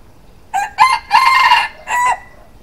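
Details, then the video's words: A rooster crowing in the morning: a loud, hoarse cock-a-doodle-doo in four bursts, the longest note held in the middle, over a quiet background. "Rooster Crowing"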